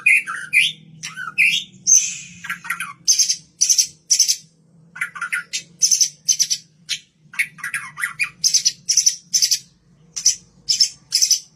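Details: White-rumped shama from the Kaur region, a bred bird, in a rapid, varied song of high buzzy bursts and sliding whistled notes repeated about twice a second, used as a lure to draw other birds; low steady hum beneath.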